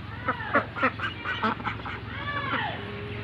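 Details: Flock of white Pekin ducks at a duck farm: several nasal quacks in quick succession, then drawn-out overlapping calls, over a steady low hum.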